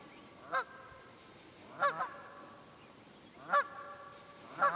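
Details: Honking wild geese recorded 27 February 2018 in Pennsylvania's Quehanna Wild Area: four ringing, nasal honks spaced about a second or more apart, one doubled, with a soft hiss between calls.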